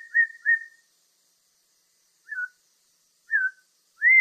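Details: Black-throated laughingthrush giving clear whistled notes near one pitch: a quick pair, then short slurred downward whistles after a pause, ending on a rising whistle. Background is otherwise silent.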